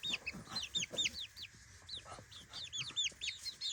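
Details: Three-week-old chicks in a brand-new daytime playpen coming up to the camera, giving clear, high, arched peeps in short bursts with a brief pause in the middle.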